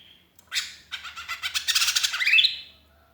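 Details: Lonely sooty-headed bulbul calling its companions, recording used as a lure: a harsh, scratchy chatter of rapid pulses that speeds up and ends in a rising whistled slur.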